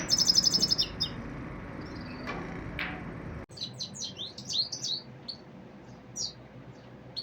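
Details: Common Iora uttering a quick high buzzy trill, then after a gap a series of varied, downslurred chirps and twittering notes, spaced irregularly.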